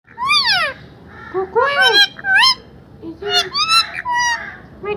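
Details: Parrot talking: a run of speech-like syllables made of bright harmonic tones with steep rising and falling sweeps, delivered in short bursts with brief pauses, over a steady low background hum.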